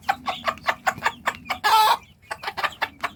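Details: Hen calling her chicks to eat: quick, even clucks about five a second, broken by one harsh loud squawk-like burst, then the clucking resumes.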